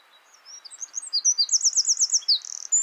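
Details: Eurasian wren, a tiny hidden bird singing from a hedge beside a shaded wooded footpath in West Sussex countryside: a loud burst of very high thin twittering running into a fast ringing trill of about a dozen notes, over faint hiss.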